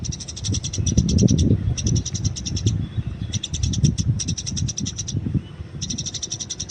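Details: Eurasian tree sparrow in the wild with fighting calls used for training: four quick series of sharp, high, rattling chirps, each about a second long, broken by brief gaps, with low rumbling noise underneath.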